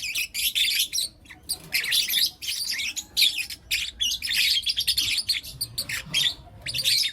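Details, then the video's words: Lutino lovebird chicks, four of them, chattering in the morning: bright, rasping chirps run together in long bursts with short pauses. "Lutino LoveBird Chirping Sounds - four Cute LoveBird Kids"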